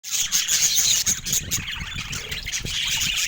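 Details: Happy pet budgerigars singing in morning sunshine in San Diego; a dense, continuous high chatter of chirps and warbles with a steady thin whistle running through.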